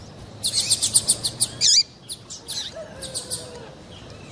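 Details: Female double-collared seedeater call, used to stir males into singing for song tournaments; a quick run of about eight high, sharp chirps, then a longer buzzy note with a downward-curving tail and a few fainter chirps after it.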